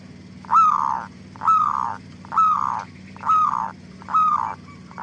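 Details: Zebra dove singing as a lure to draw answers from other doves: slurred cooing notes repeated about once a second in a steady rhythm, against a constant low background hum.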